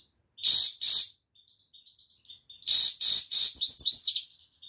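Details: European goldfinch: two harsh rasps, soft thin high notes, then three more rasps breaking into quick high twittering tinkles.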